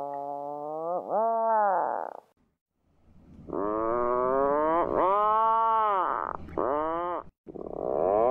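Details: An Atlantic puffin on the sea cliffs of a small island gives low, drawn-out groaning calls that waver up and down in pitch, several in a row after a brief pause, over a faint steady hum.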